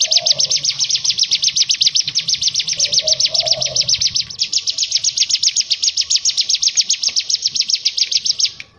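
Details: Bar-winged prinia (cigun) in a masteran training recording of the ngebren ngetrok style: a rapid, unbroken stream of sharp high chirps lasting nearly nine seconds, shifting slightly in pitch midway, over faint low tonal hum in the background.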